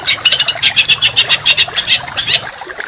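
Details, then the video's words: Contest songbird training song in the 'tembakan rapat dan kasar' style, meaning dense, rough bursts: a quick string of high, clipped chattering notes, about five per second, slightly uneven, ending in a short pause with faint hiss. "Masteran Burung Kicau Tembakan Rapat dan Kasar"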